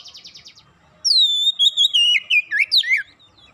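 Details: After one lure, an Oriental magpie-robin sings fast: a soft rapid buzzy pulse, then a loud clear whistle gliding downward into a string of quick, twisting, sharply inflected notes.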